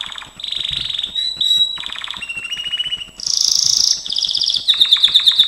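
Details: Gloster canary singing in training, shifting through rolling trills, a whistled tone, a low rattling tour, a bright high buzzy roll and evenly spaced repeated chirps about four per second.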